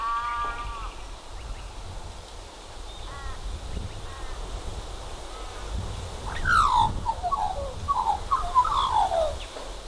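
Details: Two Australian magpies, one with a cockroach in its beak, giving unusual croaking noises: a few faint harmonic croaks early on, then louder descending warbled notes and quick chortles near the end over steady outdoor background noise.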